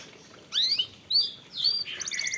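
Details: Canary song used as lure audio to trigger other canaries to sing: three bright whistled upslurred notes, each rising then flattening, followed by a rapid high buzzy trill, over a steady hiss.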